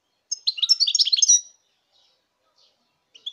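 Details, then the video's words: European goldfinch song in 2019: a quick burst of tinkling, twittering high notes lasting about a second, then near silence with a faint chirp at the end. "chant chardonneret"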